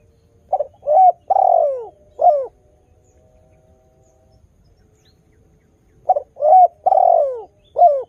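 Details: Melodious spotted dove in full song, used as a lure to coax other doves to call. Two deep cooing phrases, each of short notes, a drawn-out falling coo and a short closing note, separated by about three and a half seconds of quiet.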